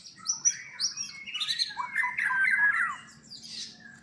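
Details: Captive white-rumped shama at a Palembang breeding farm, Indonesia, giving high whistles followed by a dense, rich warbling phrase that fades at the end, over a faint low hum.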